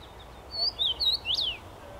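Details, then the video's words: Common rosefinch singing in a tree on 23 May 2021: a short phrase of clear whistled notes, several slurred and rising-falling, ending in a higher upswept note, over quiet background. "Dziwonia śpiewa na drzewie"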